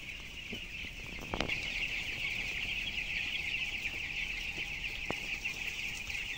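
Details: Twelve-day-old broiler chickens, 423 grams, in a closed-house barn with 7,000 birds, peeping in a loud, continuous high chorus; a couple of sharp knocks and faint low hum behind.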